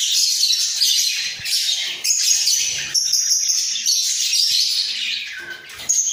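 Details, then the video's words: Caged breeding pair of budgerigars bobbing their heads while singing: a busy, buzzy high-pitched warble with sustained whistled notes and quick chirps, flowing almost without pause. "Sepasang Burung Parkit Gacor"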